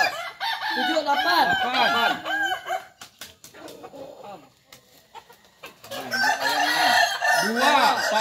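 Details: Kokok Balenggek chicken crowing at a practice crowing contest (latberan) in Ampang Kualo, Kota Solok: bursts of rapid, stepped, many-syllable crowing fill the first three seconds, a quieter gap with faint calls follows, then the crowing returns strongly near six seconds.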